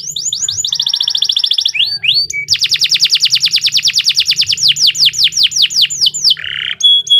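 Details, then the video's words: Canary singing a long, continuous training song: rapid trilled phrases of repeated downward-sweeping notes, a fast buzzy rattle, then steady trills and a short pure whistle. "Kicau Burung Kenari II GACOR PANJANG Cocok untuk Masteran"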